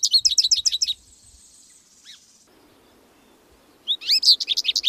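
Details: Short bursts of American goldfinch song: quick high chirps repeated rhythmically, a pause with soft hiss and one faint note, then a rising whistle into more fast twitters.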